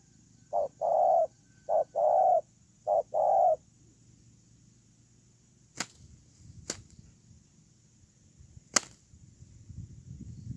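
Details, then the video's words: Spotted dove used as a ground decoy, giving three pairs of low hollow coos, each a short note then a longer one, followed by silence broken by several sharp clicks. "CU GÁY PHƯƠNG QUÝ"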